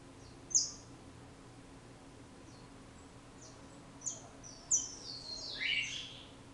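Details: Saffron finch (canário-da-terra) from Brazil: a few sharp, very high chipping notes spaced seconds apart, then a brighter burst of chirps sweeping downward near the end, over a steady low background hum.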